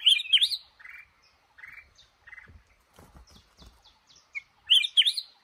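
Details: Male red-whiskered bulbul in a trap in a cashew garden opens and closes with loud, rich warbled bursts. Between them come a few short, buzzy, evenly spaced notes and faint chirps, plus some low tapping.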